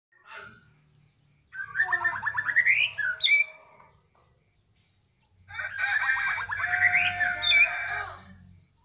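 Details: White-rumped shama singing right after being fed: bursts of rapid, ringing trills and sweeping whistles, then a second loud, harsh, dense phrase after a short pause, with low background rumble.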